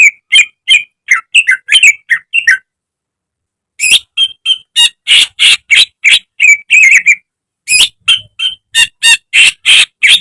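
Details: Greater green leafbird kept in a cage, training recording: rapid, jumbled phrases of clear whistles mixed with scratchy, buzzy notes, given in three bursts separated by brief pauses, about three notes per second.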